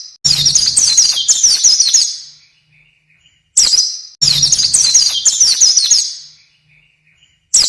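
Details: Oriental white-eye singing in a long-duration training recording for songbirds. Dense, high-pitched twittering phrases of about two seconds repeat after brief pauses, each one bright and rapidly warbled, in otherwise quiet surroundings.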